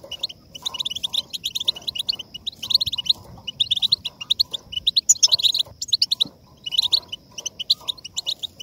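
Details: Goldfinch song used to motivate singing: a continuous, lively twitter of high, liquid chirps and short trills in rapid bursts, with faint lower background noise throughout.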